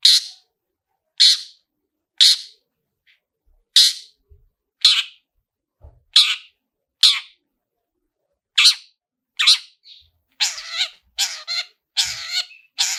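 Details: A long-tailed shrike's "toet toet" lure sound, meant to provoke singing. Loud, scratchy notes repeat roughly once a second. Near the end they come faster, in a tighter chattering run, with nothing else audible.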